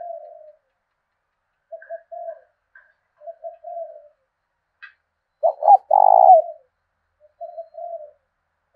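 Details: Spotted dove used as a decoy, giving the southern 'thổ đồng' style of cooing meant to provoke fights. Several soft paired coos and faint high notes come before one loud, rough, trembling coo phrase.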